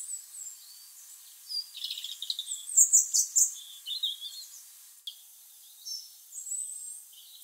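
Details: European robin singing above a garden in late November, captured with a camera microphone; quieter high warbling phrases with a few sharp ticking notes, thin whistles trailing off, faint background noise.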